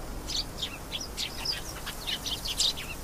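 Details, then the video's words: Bright canary twittering: rapid high chirps and short rising and falling trills follow one another continuously, set against soft steady noise. "canary singing. beautiful canary sounds"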